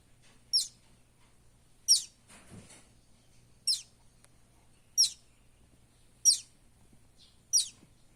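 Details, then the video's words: A buff-banded rail chick in the Philippines gives six thin, very high peeps, spaced about every second and a half, with a soft rustle partway through. "Baby buff-banded rail sounds"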